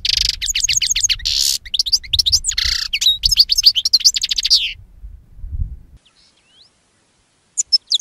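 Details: European goldfinch delivering a long, fast, jangling song of high tinkling notes, trills and slurred whistles for nearly five seconds over soft low noise, then quiet before a few final chirps.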